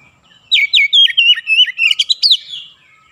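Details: Oriental magpie-robin singing in a dense, rolling 'ngerol' and 'nembak' style. Roughly a dozen quick whistled notes come in one continuous chattering phrase, each sweeping sharply, over a quiet background.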